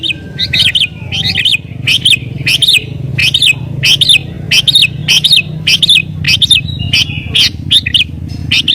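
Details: Sooty-headed bulbul singing agitatedly to challenge rivals, for luring wild birds: rapid series of bright, wavering chirped notes, nearly two per second, over a constant low hum.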